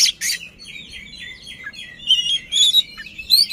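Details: Kacer, the Oriental magpie-robin, playing its song with open tail to stir up a rival: two harsh raspy bursts open a run of quick varied whistles and sharp chirps, ending on a rising note.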